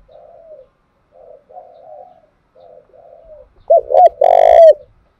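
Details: Spotted dove, Đồng Nai, 'thúc gù' coo used as a lure for decoys: a run of quiet, muffled coos, then one loud phrase of two brief hoots and a long buzzy coo.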